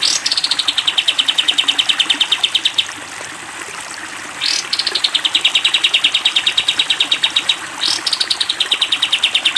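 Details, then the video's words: Sooty-headed bulbul, recorded as a training song for other birds, giving long, high, even trills of rapid notes, each opened by a quick rising sweep and lasting about three seconds, with brief pauses between. "masteran kapas tembak panjang"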